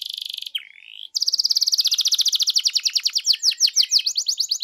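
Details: Lure song of a canary meant to prompt a caged canary into lively singing: a brief high tone and a low rising whistle, then a steady rapid trill of bright repeated notes that slows into separated downswept chips.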